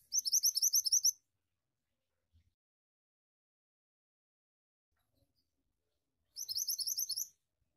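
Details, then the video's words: Pied Triller song in rolling gacor ngeroll style: a phrase of about nine fast high rising whistles, a long silent gap, then a similar phrase again. "Suara Burung Mantenan Gacor Ngeroll"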